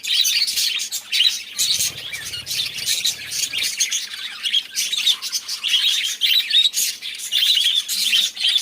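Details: Several budgerigars inside their enclosure in the morning, 17 May 2023, chatter steadily in a dense stream of high chirps, warbles and squeaks.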